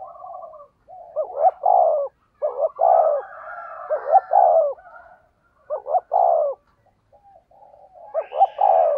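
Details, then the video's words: Spotted dove kept as a decoy bird, low 'giọng thổ' voice, delivering methodical 'thúc gù' cooing: loud, throaty bursts of two or three clipped coos and drawn-out rolling notes, separated by short silent gaps. "cu gáy giọng thổ THÚC GÙ bài bản"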